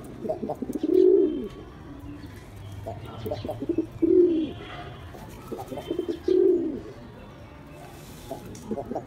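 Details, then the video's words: Male black pigeon performing, giving three loud, low rolling coos spaced about two and a half seconds apart, with softer clicks and flutters between them. "Pigeon Sound Effect || Male Pigeon Super Performance || Black Pigeon"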